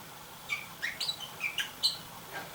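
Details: Red-rumped parrot, a kept bird whose female has been approaching and peering into a nest box more often for several days while the male sits nearby. Short chirped notes, some rising and some falling, come in a loose series of about seven over two seconds.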